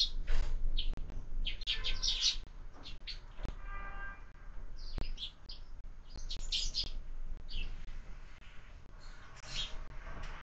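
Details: Sparrows feeding at a window-mounted bird feeder at breakfast, part of year-round feeding; a busy series of short, high chirps and tweets in irregular bursts, several birds calling over one another, with clicks and low background hum.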